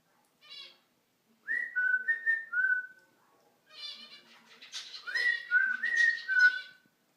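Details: A female cockatiel gives short clear whistles that slide down and level off, in two bursts mixed with scratchy chatter and brief chirps, while curious about the phone filming her up close.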